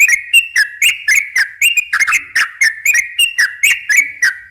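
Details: A sooty-headed bulbul gives a continuous run of bright, quick whistled notes, about four per second, with a slightly up-and-down lilt. The song is used to lure wild bulbuls.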